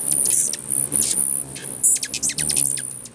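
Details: Hummingbirds fighting over a feeder in Bigfork, Montana, give loud, high squeaky chirps and quick scratchy zips in rapid bursts, with only a faint background wing hum.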